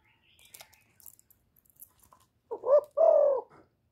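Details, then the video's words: Kept decoy spotted dove recorded close up, its call used to rouse other caged doves into calling; faint clicks and rustles, then two loud husky coos in quick succession, the second fuller and gently descending. "Cu gáy hạp bổi {GÁY GỌI+THÚC+KÈM+GÙ khống} kích bổi hiệu quả. Cu đất gáy, tiếng cu cườm."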